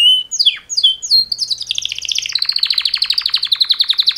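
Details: Two male canaries singing a mating song: a few sweeping downslurred whistles, then a rapid buzzy trill of repeated notes that speeds into a long, even, rattling roll.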